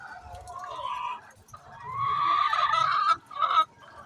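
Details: Chicken noisy ahead of egg laying, giving a few soft clucks then a long loud rising squawk and a short final cackle.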